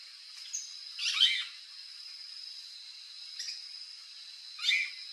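Variable Oriole giving three short, bright, slightly burry bursts spaced one to two seconds apart, over a steady high-pitched whine in the background.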